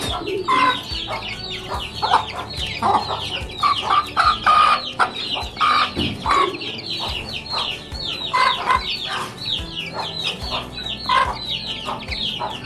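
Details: Hens and chicks on a modern farm: repeated clucks and short calls in loud bursts over a constant wash of high chick peeps. The calls come in irregular clusters, with a faint hum underneath.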